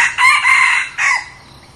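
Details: Close, loud crow from a new red junglefowl decoy bird used to attract wild junglefowl. A sustained harsh phrase is followed by a shorter clipped ending that drops away, leaving a quiet background.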